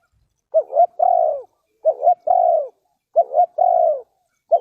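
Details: Spotted dove from Ninh Thuận, Vietnam, calling as a bird-trapping lure: three phrases, each two short rising coos then a long, drawn-out, slightly wavering coo that falls at the end, repeated about every one and a half seconds against a silent background.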